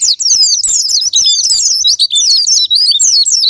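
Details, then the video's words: Japanese white-eye song as a provoking lure: breathless, high, jangling twitter of quick squeaky notes and short whistled slurs, running without real breaks. "Pancingan Super Gila Sparing Patner,ampuh buat pancingan Semua jenis burung pleci pemicu andernalin"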